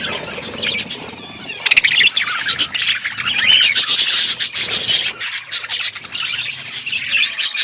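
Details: Parrot eating food, recorded February 25, 2024: rapid, irregular high chirps and short squawks, mixed with rubbing and scraping sounds, growing busier after the first two seconds.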